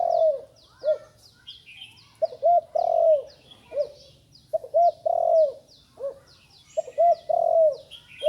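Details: Young spotted dove, recently learned to call, giving repeated low hollow coo phrases: short notes followed by a longer drawn-out coo, the phrase repeated about every two to three seconds, with high thin chirps of other birds throughout.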